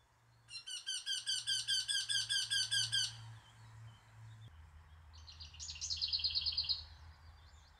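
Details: Eurasian wryneck song: a run of about eleven ringing, nasal notes delivered evenly for nearly three seconds, followed after a pause by a thinner, higher twittering from another bird over a low rumble.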